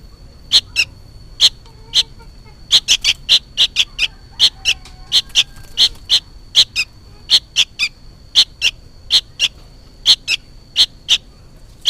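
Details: A juvenile sooty-headed bulbul calling noisily, apparently for its mother: a long, fairly even series of short piercing chirps, about two per second, some in quick bursts.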